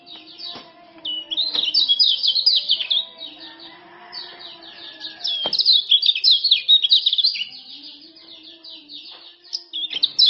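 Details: Male common iora of Lombok giving quick 'ciak ciak' notes as a lure for birds that will not sing. Sharp, high chirping runs in long bouts, while a low steady tone and faint warbles sit beneath.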